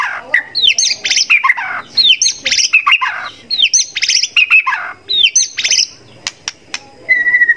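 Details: Loud, rich song of a white-rumped shama in competition style. Rapid rattling trills and swooping whistles form repeated phrases about every second and a half, then a lone steady whistle.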